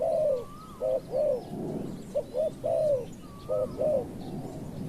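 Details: Spotted dove luring session with a wild bird responding: low soft coos, a long arched note, then clipped paired notes and another drawn-out coo, with a faint rising whistle and light background rustle.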